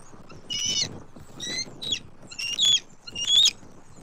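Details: Bald eagles at a nest in Southwest Florida, October 29, 2024, as the male keeps bringing food to the female. Five short, thin, squeaky call bursts, some rising and wavering, against a soft background hiss.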